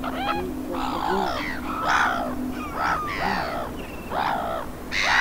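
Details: Water rail in the marshes of Château de Suscinio, Gulf of Morbihan, autumn, 2 November 2021: about six harsh, squealing calls rich in overtones, each sliding downward, spaced unevenly under a second apart over a low steady hum.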